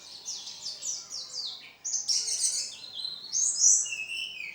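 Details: A contest-ready pleci (Oriental white-eye) singing its full repertoire: high descending chirps, then louder warbled phrases and a final falling whistled slur, all delivered quickly and continuously.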